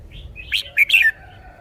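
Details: Red-whiskered bulbul kept in a cage, performing a song phrase: soft rising whistle, then a loud bouncy run of three or four warbled notes ending in a descending slur.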